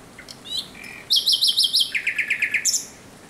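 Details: Night song of a thrush nightingale, 17 May 2023: faint whistles lead into a fast chattering series of sharp notes, then a lower run of evenly spaced clicks, closing with bright high notes.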